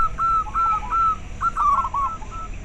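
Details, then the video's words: Local zebra dove calling, a sound offered to stimulate caged doves and to lure birds: clear drawn-out whistled coos, each slightly falling, followed by a quicker rolling run of notes, over a low background hum. "Perkutut lokal suara ampuh untuk merangsang terapi masteran dan ahli pikat"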